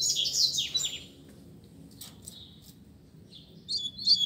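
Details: Caged Double-collared Seedeater in a singing contest: a loud, dense jumble of high slurred notes, then faint calls over steady hissing noise, then a short, clear, sharp final phrase.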